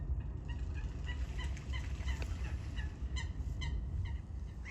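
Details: Eurasian coots with other birds, fighting: short nasal, harmonic notes repeated irregularly, sometimes in quick pairs, over a steady low rumbling background.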